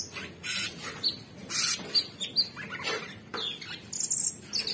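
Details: Kept orange-bellied leafbird giving an energetic song of harsh, noisy bursts mixed with brief pure high whistles, uneven in rhythm.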